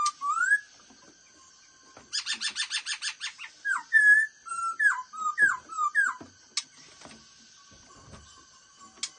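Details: Black-throated laughingthrush in 'mau mỏ' fast-beak style: an upslurred whistle, then a rapid run of about a dozen identical harsh stacked notes, followed by a string of clear downward-curving whistles and scattered clicks.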